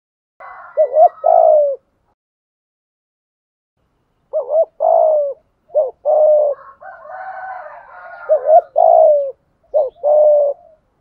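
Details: Spotted dove used as a decoy, calling through its whole repertoire to draw in other doves: a low double coo and drawn-out falling note, repeated after a long silence. A rougher, higher bird sound overlaps midway.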